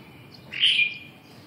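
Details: Red-whiskered bulbul, described as having white tail feathers, gives a single short, bright chirp that swells briefly before fading, against a quiet background.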